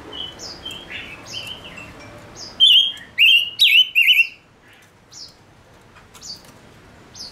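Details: Male Gouldian finch kept as a decoy bird, singing to stir up wild birds. A short burst of four loud, buzzy, twisting chirps arrives mid-way. Faint, thin high notes sound before and after it.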